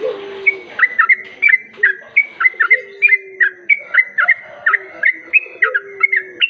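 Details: Sooty-headed bulbul song used as a lure to attract other bulbuls: short bright chirps, some falling and some level, repeated about twice a second. Lower, longer drawn notes from other birds run underneath.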